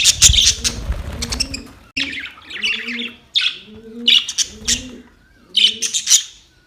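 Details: Budgerigars at play give bursts of sharp, high chirps and squeaky chatter in spaced clusters about once a second, over a steady rhythm of low, soft cooing in the background.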